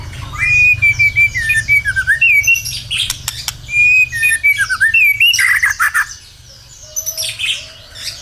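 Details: White-rumped shama singing persistently, used as a lure to prompt other birds to sing: clear whistled notes near one pitch alternate with rapid trills and harsh, buzzy bursts. A pause follows before a squeaky, scratchy passage. A low steady hum runs underneath.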